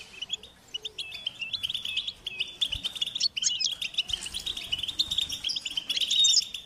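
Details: European goldfinch chicks calling to be fed, a high-pitched insistent begging: dense trills of sharp chirps running almost without break, growing busier and louder toward the end, with faint low taps.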